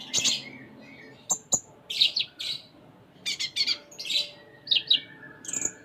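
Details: Sunda minivet in lively full mimicry song: varied sharp chirps, short high squeaks and quick paired notes in irregular bursts, separated by brief pauses, with a faint low murmur beneath.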